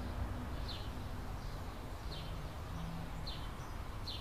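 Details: California scrub jay family at the nest, 2017, with a pair tending three chicks; soft high downslurred notes repeat at a quick, uneven pace against low background noise.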